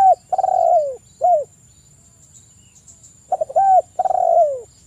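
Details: Spotted dove, used as a lure call to get other doves singing, giving low, mellow coos that sag in pitch at the end; short stuttered notes lead into drawn-out coos, repeated after a pause, over a faint high electronic whine.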